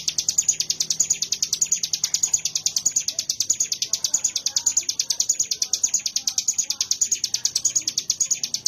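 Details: Mountain prinia (ciblek gunung) singing a rapid chattering burst: high, dense notes repeated about three per second in an unbroken even series, with faint low hum behind.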